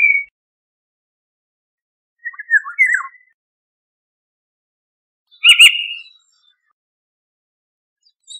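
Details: Eurasian golden oriole giving short fluty phrases, one a brief whistle, then a slurred warbled phrase, then a louder rich whistle with a harsher edge, spaced a few seconds apart in silence.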